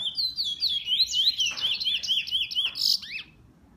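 A bullfinch sings a quick, steady run of high whistled notes, sliding up and down and bending into one another, over a low hum.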